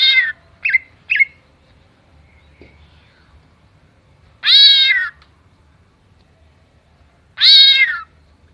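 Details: Greater green leafbird imitating a cat and a chicken: three short, abrupt chirps in quick succession, a long pause, then two strong, wavering meow-like wails about three seconds apart.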